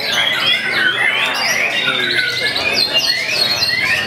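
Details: Young kept white-rumped shama singing a rich, fast run of whistled and chattering phrases, notes sweeping up and down and tightly packed with no pauses.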